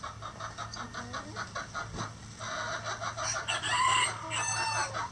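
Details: Rooster among chickens in a coop: a run of short, rhythmic clucks, then a louder, drawn-out harmonic crow that holds a steady tone near its end.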